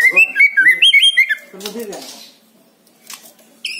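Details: White-rumped shama with a lure song for captive birds: a quick string of bright whistled notes, each wavering up and down, followed by a low rough phrase, then near silence.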